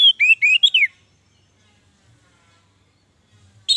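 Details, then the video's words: Orange-headed thrush phrase meant to trigger song in sluggish captive birds; a short burst of rising, slurred whistles lasting under a second, then near silence with faint low hum, and a new note at the end. "Suara Anis merah panggilan, pancingan, masteran, terapi, Untuk Anis merah yang Macet & malas bunyi"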